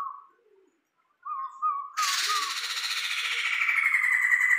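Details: Sumatran laughingthrush, tame and a frequent singer, starts with soft short whistles, then bursts into a loud, sustained harsh chatter that runs on for nearly three seconds.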